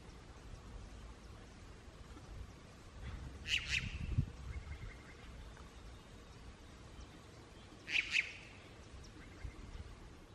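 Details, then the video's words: Unicolored Jay in Guatemala communicating with other members of its flock: two short harsh double-noted calls about four seconds apart, over a low steady rumble. "Unicolored Jay talking to his buddies"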